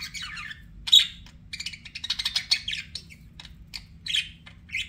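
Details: Softer budgie twittering with scattered quick chirps, a sharp squeak and short raspy warbled phrases separated by brief gaps.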